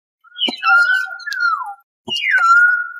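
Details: Common hill myna (Gracula religiosa), a starling-family bird of South and Southeast Asian hills: a sharp click followed by loud whistled notes falling from high to a long steady tone, then a downward slur, repeated after a short pause.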